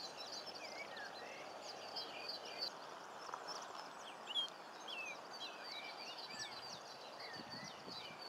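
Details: Superb Starlings (Spreo starlings), filmed in 2014 at Paradise Park, Cornwall, chatter in a busy flock, with short whistled chirps and rising and falling slurred notes over a constant hiss.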